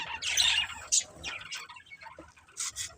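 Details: A budgerigar from a breeding pair gives a harsh squawk, then scattered thin chirps and a few quick high notes with pauses between them.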